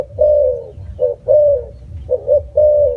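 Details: Spotted dove calling in soft, mellow coos: long sustained falling notes alternating with clipped double notes, forming two quick phrases.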